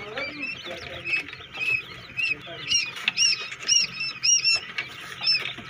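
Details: Newly hatching quail chicks in a homemade egg incubator, giving a busy chorus of thin, high, upslurred peeps, roughly two per second, overlapping with softer chirps.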